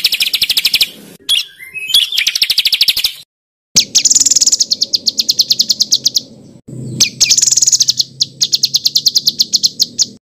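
A songbird delivers harsh, rapid rolling trills of high buzzy notes in bursts of two to three seconds, separated by brief pauses.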